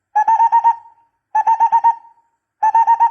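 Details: Barbet call recorded for use as a bird lure: three bursts of rapid, even-pitched hollow notes, each run of about six notes trailing off, separated by short silences.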